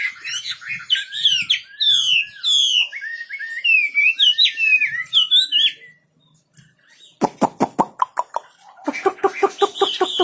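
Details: Wambi bird in full, energetic song: rapid high twittering and warbled whistled phrases for six seconds, a brief pause, then loud harsh pulsed notes repeated several times per second.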